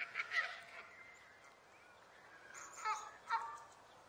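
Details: Canada geese (Branta canadensis) give loud, nasal honks in two bursts, a pair at the start and more about three seconds later, with a faint hiss in between.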